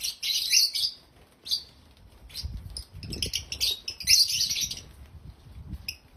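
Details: African lovebirds chirp in shrill, high bursts, two loud clusters about three seconds apart with scattered sharp tweets between, over a faint low rumble.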